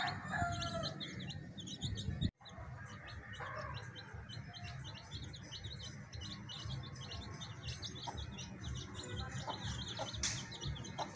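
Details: Baby chicks with a hen, giving a dense, continuous chorus of high, short peeps that overlap quickly, with a low rumbling background and a brief dropout partway through.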